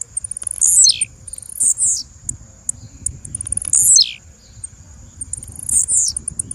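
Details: Female blue-black grassquit call: very high, thin notes sweeping sharply downward, repeated about every three seconds, with short high ticks between them over a steady high-pitched tone.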